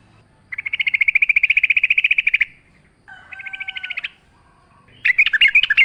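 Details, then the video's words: Yellow-vented bulbul singing in a lively, wild style, used as a lure to get kept bulbuls singing: a fast, even run of bubbly chattering notes, then a shorter buzzy rattle and a burst of bright, jumbled notes. "trucukan gacor ngalas full suara alam"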